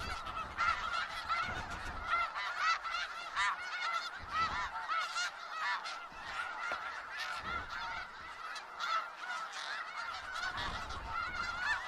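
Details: Snow geese in a large flock in Skagit Valley, giving a dense chorus of overlapping nasal honks, many birds calling at once with louder individual yelps rising above the steady din, occasional low thumps underneath.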